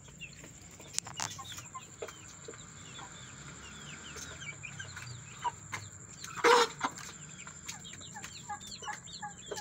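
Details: Fresh chicken chicks squabbling after a new addition to the group, giving scattered bright cheeping peeps, rising-falling and repeated, among soft taps; one loud scuffling burst near the end and a constant faint high-pitched hum.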